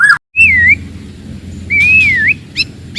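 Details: White-rumped shama from the forest, its loud aggressive song meant to provoke rivals: clear slurred whistles rising and falling, a long pure note then a second wavering whistle, with brief sharp upsweeps at the end over a low background hum.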